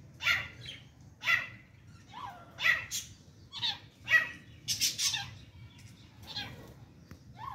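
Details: Female grey francolin trying to fight with chicks: harsh, raspy, noisy calls repeated roughly every 1.3 seconds, with a low steady background hum.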